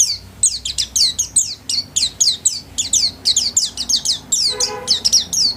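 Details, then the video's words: Home-kept white-eye, singing actively in its cage, repeats quick high notes that slide downward, about twenty in under six seconds, with a faint lower tone briefly audible midway. "Burung pleci gacor kelas rumahan"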